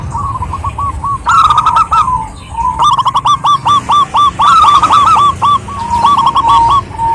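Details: Female local wild zebra dove calling to a male, with even hooked coos, a harsh rattling burst, then long bright runs of quick notes about four per second.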